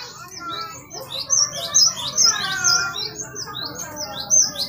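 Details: Great tit in a lively, non-stop "gacor" song used as a tutor and lure recording: bright, high chirps and quick whistled slurs tumbling over one another, about two notes a second, with a soft background murmur.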